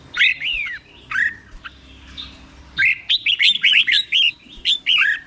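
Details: Red-whiskered bulbul song for teaching caged bulbuls: a few separate slurred whistled notes, then a longer run of quick, bright chirping notes at the end.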